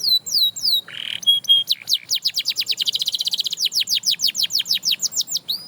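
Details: Canary whose singing inspires others: a few falling whistles and a short buzzy phrase, then a long, accelerating run of crisp repeated notes that gradually slows near the end.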